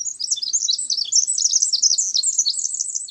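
A Pacific Wren's song: a rapid, tumbling cascade of very high, tinkling trills and buzzy notes, running on without a pause.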